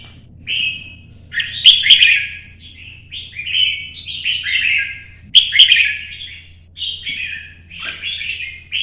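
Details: Red-whiskered bulbul in challenge singing: a series of cheerful, chattering whistled phrases, each about a second long, delivered in regular bursts with sharp bright accents.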